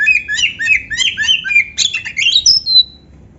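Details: Kacer, an Oriental magpie-robin, sings a canary-style filled song: a quick series of sharp chirps and short warbled notes repeated about three times a second, ending in a thin, high, falling whistle.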